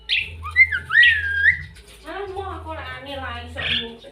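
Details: Talking white-vented myna copying human voices: bright swooping whistles at first, then a voice-like harmonic babble with wavering tones, all over a low background hum.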